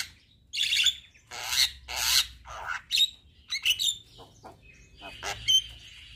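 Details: Singing Javan myna (jalak kebo), nodding and 'gacor', its song filled with 'isian' phrases: broad hissing rasps interspersed with pure whistled pips and a few wavering squeaky notes.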